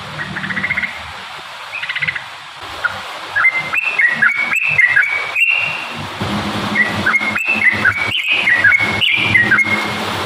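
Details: Yellow-vented bulbul in full song, used as a lure to set other bulbuls singing: a quiet opening, then bright, bubbly whistled phrases that rise and fall, repeated over a steady low hum and background noise.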